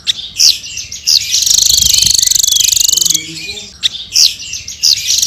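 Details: Hanging parrot in lively song: a few sharp high chips, a long buzzy pulsed trill of nearly two seconds, then more squeaky bent notes.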